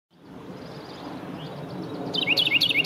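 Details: Carolina wren in a yard in Downers Grove, DuPage County, Illinois, 3 April 2018, bursts into loud, rapid rolling phrases of sweeping whistled notes, repeated quickly, after a stretch of steady outdoor background hiss.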